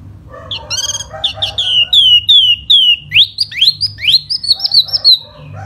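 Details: Hót xoè, the fanning display song of a silver-eared laughingthrush in springtime: a few short buzzy notes, a series of loud downslurred whistles, then fast rising upsweeps that blend into a continuous chattering warble.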